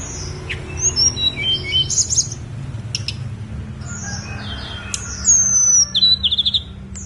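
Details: Thin, high whistles and short twittering phrases from a Snowy-browed flycatcher on Songgo Langit mountain, ending in a loud, rapid series of clipped notes, with a few clicks and low hum.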